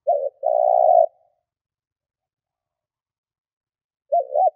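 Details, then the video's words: Decoy spotted dove in thúc gù cooing for luring wild birds: a short hoot and a long rolling coo, a pause of three seconds, then two quick hooted notes opening the next phrase. "Tổng hợp chim cu gáy thúc gù / Cu gáy kích mồi Cực chuẩn / Tiếng cu gáy kích bổi nhanh nổi"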